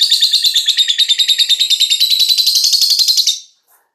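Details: Five-month-old lovebird described as a fighter, giving loud, shrill, rapid chattering of dense high-pitched chirps in an unbroken run for about three and a half seconds before stopping abruptly.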